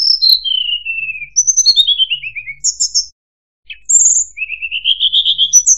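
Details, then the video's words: Sunda robin (tledekan / sulingan gunung) song, clear and high: long descending whistled slurs, sharp high notes, then a rising run of quick buzzy trills; no other sounds. "PANCINGAN SUARA BURUNG TLEDEKAN"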